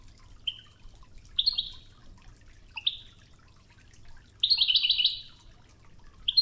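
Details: Wedani-style European goldfinch training song set against river water: scattered single liquid chirps, then a dense buzzy, tinkling twitter burst near the end, with continuous gentle water sounds.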